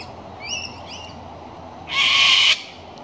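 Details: Wild cockatoo giving one loud, harsh, raspy screech lasting about half a second, preceded by a few faint, thin, rising chirps from more distant birds over a steady hiss of background noise.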